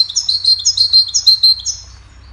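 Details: Goldfinch performing its melody for songbird training: a lively run of high, clear, tumbling twitters and sweet chirps delivered in quick succession for about two seconds before stopping.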